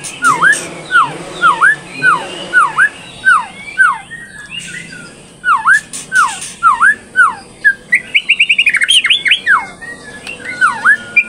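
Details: Third-generation captive-bred straw-headed bulbul singing busily with learned fill-in material: loud, sharply falling-then-rising whistled notes repeated about twice a second, broken by a brief fast trill near the end, with a faint low hum behind.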